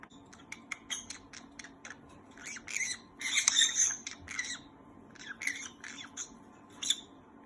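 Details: Green-cheeked conure chatting, squealing and squeaking while content, relaxing or playing, or excited or curious: a rapid run of short harsh squeaky notes in bursts, with louder grating squeals in the middle and near the end, indoors.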